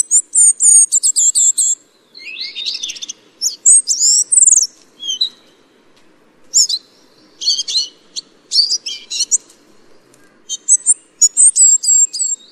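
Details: Ferruginous flycatcher (Muscicapa ferruginea) gives thin, very high, sibilant notes in quick bursts of several, separated by short pauses, over a faint low background hum.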